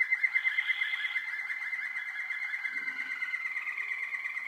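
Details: Young Waterslager canaries, recorded in 2012, sing indoors with a rapid, evenly pulsed bubbling trill around one steady pitch, then a slightly rising warble.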